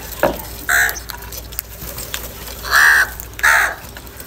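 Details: Live crow calling, linked to fighting, anger and food: a short harsh caw near the start, then a long loud drawn-out caw followed quickly by another, with a sharp click early on.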